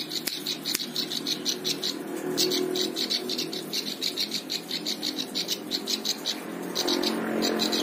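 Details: Plain prinia (ciblek sawah) song used to tutor other birds: long runs of rapid, buzzy high-pitched notes with brief gaps, over a steady low background hum and a couple of sharp clicks.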